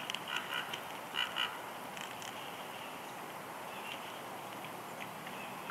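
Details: Nesting female bald eagle at Big Bear Lake, California, 6 March 2021, softly whining as her mate delivers a headless fish; a few clipped, high, harmonic notes in two quick clusters early on, then quiet nest hiss.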